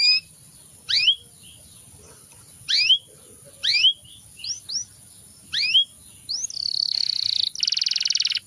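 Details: Canary giving sharp upswept chirps in small clusters about once a second, then a fast buzzy trill followed by a second rattling trill, all over a steady high whine.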